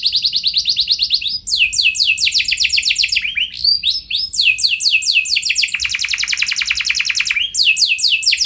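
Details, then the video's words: Energetic canary song, a lure for other canaries, built of successive fast trills of downslurred notes changing tempo and pitch from phrase to phrase, with scarcely any pause. "Pancingan Burung Kenari Nembak Mantap! Buat Kenari Lain Pasti Langsung Ikut Gacor Ngeroll Panjang"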